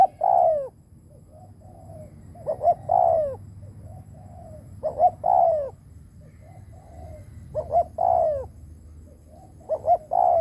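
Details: Spotted dove decoy cooing to lure wild doves: five repeated phrases, each of two brief rising notes and a long, loud, descending coo, separated by soft murmuring coos.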